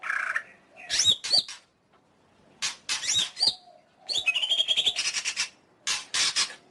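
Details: Greater green leafbird song of quick chips, whistled slurs and a long buzzy trill, delivered in irregular bursts with brief silences between.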